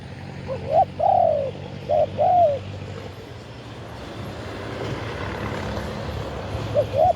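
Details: Wild spotted dove in Thailand in the 'khan yon' crowing style. Two short phrases of low coos come first, then a rising, engine-like rumble fills the background before one more coo near the end.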